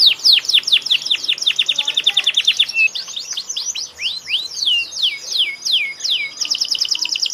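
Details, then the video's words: Canary in full song: rapid trilled runs of short falling notes, then looser looping whistled swoops and rising-falling phrases, continuous and high-pitched, with a faint steady tone in the background. "kenari gacor"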